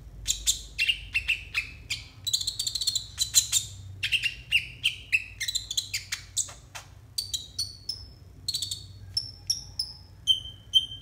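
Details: Konin mastering song for young untrained konin: a long, rapid stream of chirps and buzzy phrases that shifts into a series of short, clear, falling high whistles.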